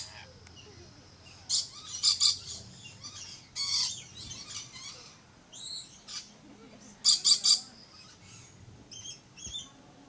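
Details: Red-collared lorikeet calling in bouts of shrill, grating screeches mixed with short whistled upslurs and chatter, loud outbursts separated by quieter pauses.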